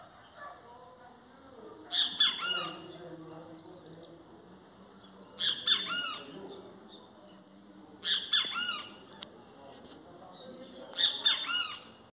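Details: Singing great kiskadee giving four loud, grating multi-note bursts spaced about three seconds apart, each bright and emphatic, with a faint human voice murmuring underneath.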